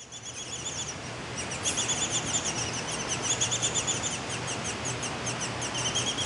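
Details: Young Baltimore orioles newly out of the nest in a front yard give rapid, thin, high chirps in loose overlapping series, roughly three per second, over a steady low hum.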